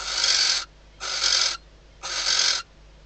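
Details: Female barn owl, Tyto alba, in her nest box at night in the Ebro Delta, Spain, calling to the male before mating, with hatching days away; three grating hissed screeches, evenly spaced about a second apart.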